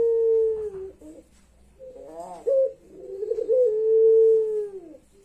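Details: Puter pelung ringneck dove with a sustained moaning coo, then short wavering stuttered notes, then another long steady coo that slides down at its close, likened to someone crying.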